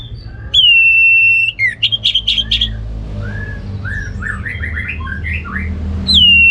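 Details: Orange-headed thrush, ngeplong gacor song: a long level clear whistle, a quick series of loud pulsed notes, softer descending chirps, then the long steady whistle again at the end.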